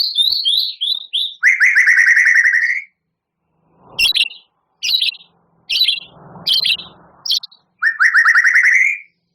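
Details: Champion White-rumped shama in bursts: quick descending whistles, a rich rising trill, a string of sharp separated chips about once a second with faint rustle, then the rising trill again.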